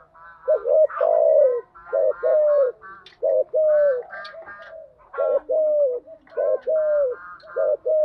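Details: Spotted dove cooing as a lure for decoy birds: a steady string of low hollow coos, some drawn out and falling, overlaid by busy harmonic chattering calls from other birds.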